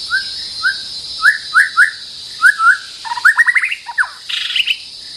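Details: White-rumped shama, a territorial bird facing a rival, sings clear rising whistled slurs in quick pairs. A rapid run of stacked notes and a short buzzy phrase follow, over a steady high insect-like hiss.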